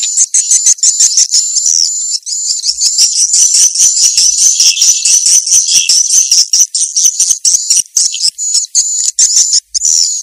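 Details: Vietnamese 'janda'-style swiftlet lure sound, a continuous fast high-pitched twittering made of crowded chirps and trills, with a few short breaks near the end.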